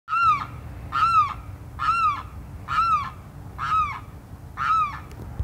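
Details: A Limpkin (Aramus guarauna) gives six loud, wailing, arched cries about once a second, each harsh and rolling with rich overtones, over a low background rumble.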